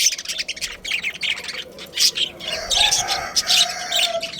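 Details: Budgerigars of a breeding pair give busy, high, buzzy chirps and squeaky warbled notes in an irregular stream.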